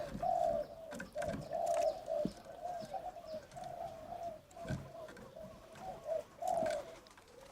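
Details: Young, newly caged spotted dove in a hanging cage on a hot day giving a soft, low cooing phrase of about five mellow notes, some rising then dropping; small voice, owner suspects female; faint rustling and hiss.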